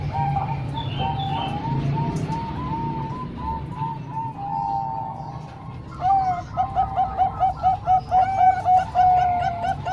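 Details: Zebra dove song from three Bangkok birds and one local, for training young birds: rapid runs of soft, mellow coos, then faster stuttering phrases from several birds over a steady low hum.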